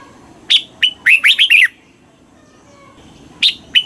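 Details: Caged red-whiskered bulbul in Thailand, southern master-style song used to stimulate birds and train young: two sharp opening notes, then a quick rolling run of four or five liquid whistles, followed by further clipped notes.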